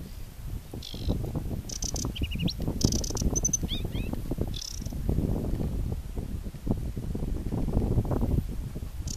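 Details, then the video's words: Aquatic warbler from Chełmskie Torfowiska Węglanowe, July 2015, with scattered buzzy rattles, short stuttering notes and a few rapid downslurred chips, set against steady heavy wind noise. "wodniczka/ Acrocephalus paludicola"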